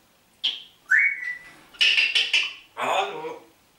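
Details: Talking parrot indoors, said to greet with German words like "Hallo" and "Guten Morgen": a clear high whistle, then a rising whistled note, followed by three harsh, speech-like syllable bursts and a final raspy, breathy utterance.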